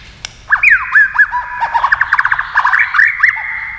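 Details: White-rumped shama singing quickly against a TV: after a brief silence, looping whistled notes, then a fast stuttering trill of short repeated notes, ending in rising whistles.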